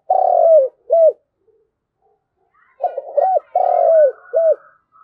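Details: Flock-gathering call of a spotted dove: a long falling coo and short arched note, then after a pause a fuller phrase of stuttering coos, a drawn-out coo and a final clipped note.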